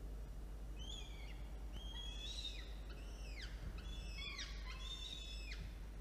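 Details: Falcon nest in October 2022 with two chicks being fed after prey delivery: strong arched whistled notes, rising then falling, repeated several times within six seconds, with bright harmonics over constant low background noise.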